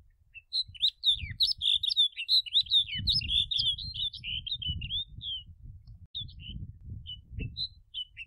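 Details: Snow bunting song: a fast, twittering warble of slurred, high notes running for about five seconds, followed by a few scattered single chirps, over a steady low rumble of background noise.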